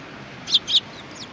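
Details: Eurasian tree sparrows at a Tenmangu shrine in Japan, gathered at food on 19 April 2019; two loud, sharp chirps in quick succession, then a fainter note, against quiet background hiss.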